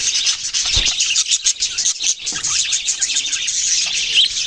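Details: Budgerigars chirping together: a dense, unbroken chatter of high, scratchy warbles and tweets from many birds at once, steady throughout with brief low thumps.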